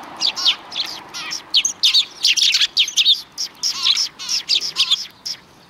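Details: A lively flock of sparrows by the road to a Tenmangu shrine on 13 December 2019. Loud, quick chirps come about every quarter second, interleaved with wavering, warbled calls from several birds at once.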